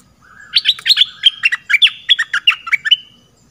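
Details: Red-whiskered bulbul, southern type, on a decoy recording for luring birds: a continuous chattering stream of bright, chirpy notes, rising and falling, around a dozen in under three seconds, over a faint low hum.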